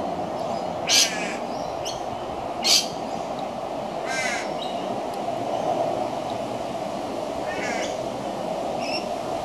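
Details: Juvenile crow calling for food: a few short, harsh, ragged calls spaced irregularly over several seconds, with a steady low background hum throughout.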